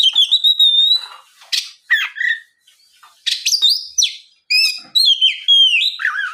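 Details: Oriental magpie-robin singing as a lure to provoke other magpie-robins: a long steady high whistle, then scratchy bursts, ringing slurred notes and a closing wavering phrase, all continuous and energetic.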